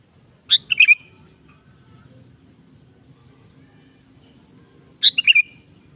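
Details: Sooty-headed bulbul song played to draw a kept bulbul into singing: two brief, bright, liquid phrases of three or four quick chirped notes about four and a half seconds apart, with faint steady ticking and low hum between.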